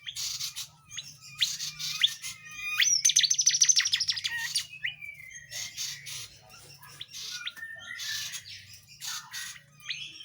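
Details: Vigorous tledekan jati flowerpecker song meant for tutoring murai batu, kacer and other cage songbirds: high squeaky chirps, a dense rapid trill around the third second, then sparse sharp notes over a low hum.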